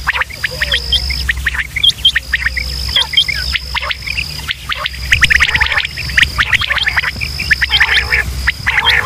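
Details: Quail calls from Pakistan, male and female sounds used to lure quail for hunting: dense overlapping short chirps and bright rising notes repeated rapidly, over a steady high whine and low electrical hum.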